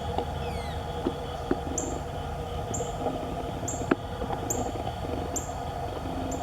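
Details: Red Northern cardinals chirping while flying about: short, sharp, high chip notes repeated about every three-quarters of a second over a steady low hum, with a few faint clicks and a brief descending sweep early on.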